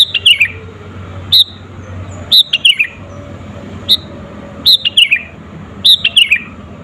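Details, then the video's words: Sooty-headed bulbul singing to provoke rivals, a lure recording: bright whistled phrases of three or four notes stepping downward, repeated roughly every second or so, with single sharp notes between; faint low hum behind. "SUARA BURUNG KUTILANG GACOR ASLI TAMPA ISIAN..,!!!pancinga kutilang bikin lawan emosi"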